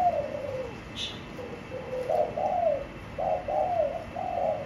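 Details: Spotted dove kept in a cage giving mellow, low hooting coos in uneven runs, some notes dropping slightly in pitch, one short faint click partway through.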